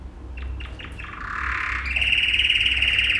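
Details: A yellow male canary's training song opens with a few separate clicky notes. A rough, buzzy roll follows, then a sustained, even, rapid trill, with a faint low hum beneath.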